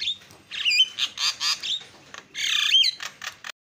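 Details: Javan myna provoking call meant to set other mynas calling: raspy squawks alternating with short clear whistles, two dense harsh bursts separated by brief gaps, ending abruptly.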